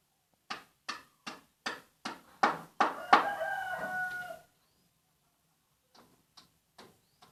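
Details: Junglefowl from Aceh, recorded as a lure for birds: a series of sharp clucks quickens and grows louder, then breaks into a drawn-out hoarse crow, followed by a few faint clicks.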